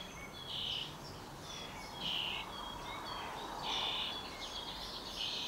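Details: A young common starling (Sturnus vulgaris), probably close to fledging, hungry and being fed, gives four drawn-out harsh, raspy begging screeches roughly every one and a half seconds over a steady background hiss.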